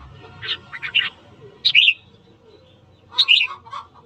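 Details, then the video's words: Morning song of a red-whiskered bulbul meant to provoke fighting: a few short chirpy notes, then two clear whistled phrases of rising-falling notes, the last trailing into lower warbles; faint low rumble behind. "Luyện giọng chào mào hót sáng kích bổi đấu"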